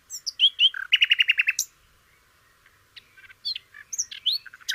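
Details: Sikatan londo, a flycatcher whose song trains other songbirds: a few sweet whistled notes, a fast buzzy trill of about eight notes, a gap, then scattered high whistles and rising slurs.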